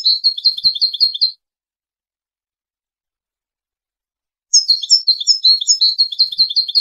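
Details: Wedani-style goldfinch song for tutoring young goldfinches and hybrids: a fast, evenly pulsing twitter lasting over a second, a three-second silence, then a longer and richer run of high, bright repeated notes. Faint clicks are also audible.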